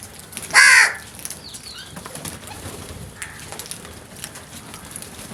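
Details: Crows in a group attacking food: one loud, harsh, rasping caw lasting about a third of a second, then quieter background noise and faint rustling.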